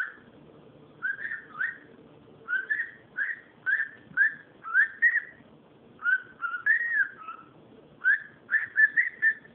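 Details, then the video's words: Cockatiel making noise indoors: clustered short whistled notes in groups of two or three, rising and dipping, with brief silent gaps and a faint low hum in the room. "calopsita fazendo barulho"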